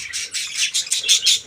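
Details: Small caged parakeet colony on 14 January 2025, giving loud, rapid, high chattering chirps in quick bursts about every fifth of a second, several birds overlapping.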